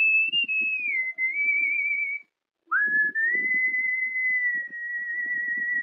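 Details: Pet cockatiel whistling the melody of Wind of Change by Scorpions, a long held tone gently falling, brief silence, then an upward swoop into a second steady sustained note lasting about three seconds, with quiet rustling.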